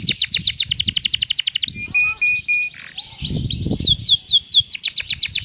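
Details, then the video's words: Canary song with a luxurious cengkok style and sharp tembakan shots. A fast rolling trill breaks into a few flat, steady whistled notes, then a run of swooping downslurred whistles and quick repeated notes. Soft low thumps sound underneath. "MASTERAN kenari cengkok mewah durasi panjang Tembakan pedes"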